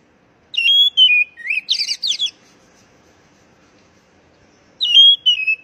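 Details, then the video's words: Oriental magpie-robin call aimed at stressed young birds that stopped singing: a descending whistled phrase, then rapid harsh chattering notes. A second whistled phrase begins after a silent stretch. "panggilan kacer bahan stress macet bunyi"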